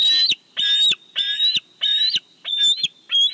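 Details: At a Big Bear bald eagle nest while fish is delivered, a nest camera records six loud, shrill, piping calls, each slightly rising, spaced roughly every half second.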